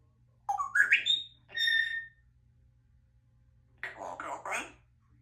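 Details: Pet African grey parrot talking: a rising whistle and a flat whistled note, then after a pause a few short, speech-like syllables.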